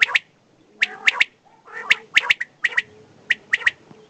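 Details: Desi batair (common quail), a male and a female: sharp squawky notes mostly in quick groups of three, bursts repeated about every second with short silent gaps between.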